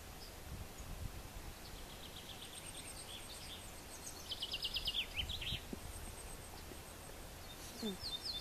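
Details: An Ortolan bunting in Västmanland, Sweden, sings a short phrase of ringing, repeated notes. Thin high chirps from other birds and a low rumble of background noise run underneath.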